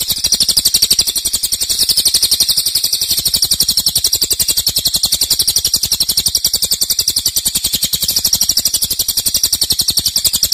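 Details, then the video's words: Cililin in long, loud nembak song used to train songbirds: an uninterrupted run of sharp, high-pitched buzzy beats, nearly four each second, keeping an even pace over ten seconds. "Cililin nembak keras dan Rafat durasi fanjang"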